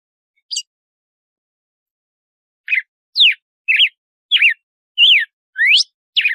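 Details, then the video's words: Red-cowled cardinal singing the açoite style, a measured 'compasso' song: after a lone high note and a pause, loud whistled phrases follow about twice a second, sliding down or sweeping up, in clean silence. "Canto do Galo-de-Campina de Açoite 🐦 Melhor Canto de compasso"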